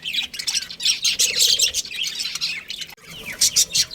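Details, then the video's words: Budgerigars in a colony with a breeding pair, loud dense twittering and scratchy chirps in steady chatter, briefly dropping away before a final burst of bright calls. "Cute Budgies Chirping Sounds"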